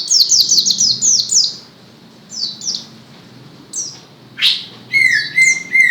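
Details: White-eye song: bursts of rapid, high, downslurred chirps in quick runs, then pauses, scattered sharp notes and a short steady whistle near the end.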